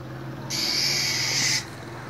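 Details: Female minivet in a cold winter, calling to stir a male to sing: one harsh, even, breathy hiss lasting about one second, with steady faint background noise.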